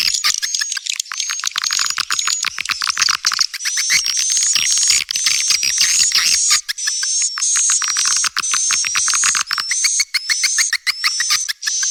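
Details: Swiftlet call meant to attract young swiftlets: rapid, dense chirping chatter of clicky high notes, with a thin, steady high whistle running underneath throughout.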